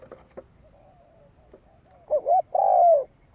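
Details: Spotted dove lure song: after soft clicks and a faint distant note, a short low hoot is followed by a louder, drawn-out level coo that slides down at its end.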